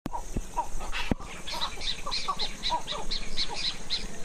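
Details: Spotted owlet (Athene brama) in a bird conservation area in Wakema township, Ayeyarwady Region, Myanmar, giving a rapid series of harsh, scratchy chirrups, two or three a second, over steady low background rumble.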